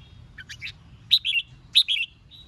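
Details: Red-whiskered bulbul song used to provoke rival birds into competitive singing: short bursts of bright, warbled whistled phrases, two loud clusters about half a second apart after a softer opening.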